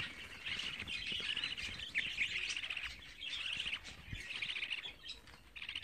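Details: Twenty-four-day-old budgerigar chicks chatter continuously with squeaky, high-pitched chirps and trills, grouped in busy clusters separated by short lulls, plus light knocks and rustles.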